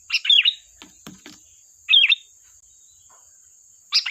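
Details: Sooty-headed bulbul singing vigorously, used as a lure for trapping: three short bubbly, chattering phrases of sharp rising-falling notes about two seconds apart, a few soft low clicks between, over a steady thin high whine.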